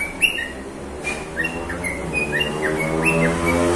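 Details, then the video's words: Singing bird giving short whistled notes, some rising and some falling, around twenty in quick, uneven succession, over a steady low hum. "falk bird singing"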